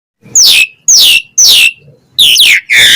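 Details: Asian pied starling singing a chatty song full of fill-in phrases, said to excite other starlings into answering: loud, steeply falling whistled sweeps, four in a row, each about a third of a second long, with short gaps between.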